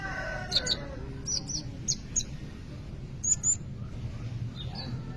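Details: Sunbird singing as a training lure for other birds: scattered short, high, clipped chirps and tweets in small pairs and clusters, separated by brief pauses, with steady low background hum.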